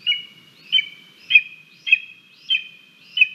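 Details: Hungry female Lesser Spotted Eagle chick at the nest on a live cam, 28 July 2022, being fed a frog and a vole by her parents: high, thin downslurred whistles repeated about every 0.6 seconds, six calls.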